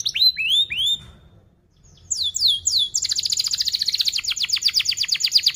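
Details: Canary song meant to teach young birds: a few rising whistled notes, a short pause, three sweeping downslurs, then a long, very fast rolling trill of repeated bright notes.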